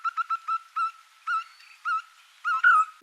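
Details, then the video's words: A Yellow-fronted Barbet, a Sri Lankan endemic, gives its throbbing call at Kalugala Aranya forest monastery by Sinharaja Forest on Poson Poya day in June. Hollow, mid-pitched notes come quick at first, then about half a second apart, against a quiet background. "That throbbing call of barbet, that's Yellow-fronted Barbet."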